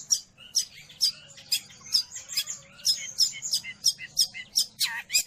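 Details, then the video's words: Long-tailed shrike song, used for training pet birds or luring wild ones: sharp, high, scratchy notes repeated about once a second, with softer chattering in between and a faint low hum beneath. "Suara burung Cendet / pentet"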